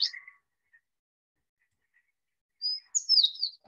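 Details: Recorded Sooty Fox Sparrow song from the high-elevation Butte Meadows area of Butte County, September 2021: a brief opening of bright notes, a pause, then a clear high whistle leading into slurred, slightly buzzy warbles.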